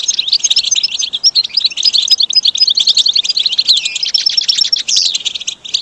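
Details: Goldfinch song for training caged birds toward motivated singing: loud, continuous high-pitched twittering with rapid chirps, buzzy trills and thin whistles, barely pausing.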